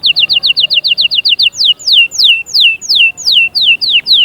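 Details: Canary song to make chicks sing and prepare females: a rapid series of short whistled notes about six per second, followed by longer loud descending slurred whistles repeated steadily.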